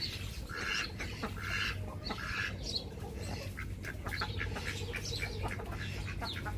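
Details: Ducks giving a few harsh, nasal quacks in the first two seconds, followed by scattered clicks and splashy sounds over a constant low hum.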